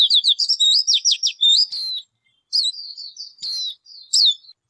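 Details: A bird pours out a rapid series of high slurred notes, then breaks into spaced piercing downswept whistles and softer, drawn-out wavering notes.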